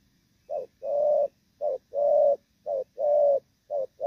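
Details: A moulting Thổ Pha spotted dove gives its cooing phrase: a short note leading into a long, even coo, repeated about three times in a quiet setting.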